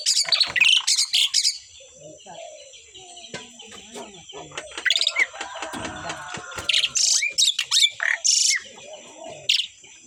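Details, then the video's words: Pair of Asian pied starlings singing very actively: bursts of varied chirps, whistles and harsh buzzy notes, loudest at the start and again after six seconds, with a steady high thin tone in the background. "sepasang burung jalak suren super gacor"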